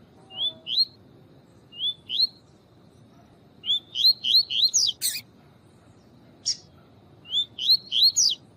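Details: Double-collared seedeater, male tui tui song with a female chirping to excite him: paired rising whistled notes repeated, then bursts of five to six rapid upslurs, broken by sharp clicks over gentle hiss.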